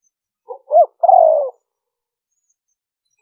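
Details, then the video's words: One cooing phrase from a spotted dove in the liêu ròng style, used for luring wild doves: a faint short note, a quick upward-bending coo, then a long, gradually falling coo, followed by silence. "Tiếng chim cu gáy mp3 liêu ròng kích bổi hiệu quả"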